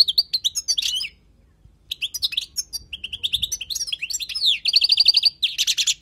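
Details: Wild European goldfinch song used for tutoring, rapid liquid twittering and tinkling phrases with buzzy trills and fast repeated chip notes, a brief pause after the first second, then continuous bright chattering.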